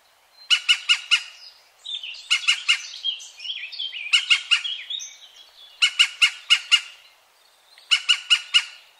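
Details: A European green woodpecker near Wittlich, 2017, gives harsh, ringing bursts of about four quick notes, repeated roughly every two seconds, with softer twittering from other birds between.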